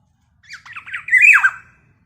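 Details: Black-naped oriole calling actively, a sound said to agitate other orioles: a single harsh, nasal, wavering squawk of about one second that rises in a ragged series of notes and ends in a louder, strained descending burst.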